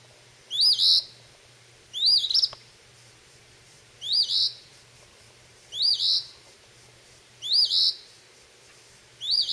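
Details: A recently fledged phoebe, which the owner thinks is practising its calls while catching insects around a porch on May 21, 2012, gives a high two-part note with a rising slur and buzzy ending about every two seconds over a quiet hum.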